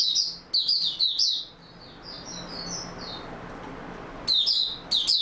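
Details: Oriental white-eye singing on 28 February 2022, starting with rapid high twittering bursts, fading into soft, thin warbled notes, then closing with loud, sharp chirp clusters.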